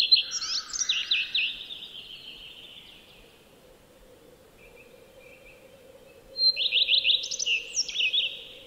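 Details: Two common redstart song phrases several seconds apart, each a high whistled lead-in followed by rapid repeated notes and squeaky, variable flourishes. A low steady hum runs beneath.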